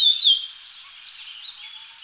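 Japanese grosbeak giving a single clear, high whistled note that slides slightly downward, followed by faint, soft background rustle.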